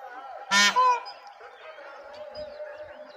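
One loud, harsh, nasal peafowl call in two quick parts, then a steady low hum of background noise.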